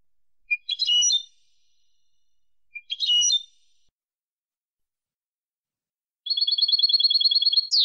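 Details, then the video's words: European goldfinch song from a clean-song training recording: two short twittering chirp groups, then a rapid, evenly repeated buzzy trill near the end, on a silent background. "CD jilguero limpio 2020"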